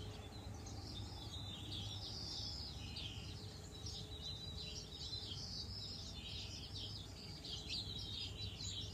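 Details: Flock of spring songbirds in bamboo in a Northern California yard, reportedly Canadian birds departing in April; continuous high-pitched twittering and short chirps from many birds at once, above faint low background hum.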